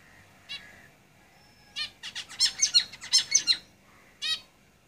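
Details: Zebra finches singing in a cage: a lone nasal beep, then a rapid string of buzzy, harmonic, chattering notes that rises in loudness for about two seconds, ending with one more buzzy note.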